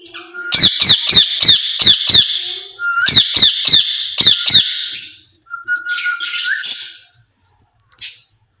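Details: Two rose-ringed parakeets in a cage, described as talking to each other in Urdu or Hindi; two bursts of about six sharp shrill screeches each, with rising whistled notes between and after them.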